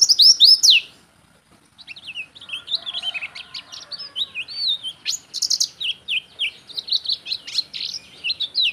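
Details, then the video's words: Oriental white-eye song used to train or lure other birds: an opening burst of high slurred notes, a short gap, then a long run of quick, high, chattering chirps and whistles. "suara burung pleci gacor cocok buat masteran/atau buat pikat burung lain"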